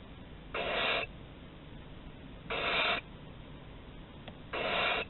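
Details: Barn owl at Théding, France, on 11 August 2020, exploring the corridor of its nest site, giving harsh, breathy hisses about half a second long, repeated roughly every two seconds over a low background hum.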